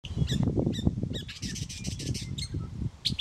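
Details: Mockingbird singing in the morning, said to sing until it finds a mate: harsh, squawky broadband notes in quick bursts over strong low rumbling background noise.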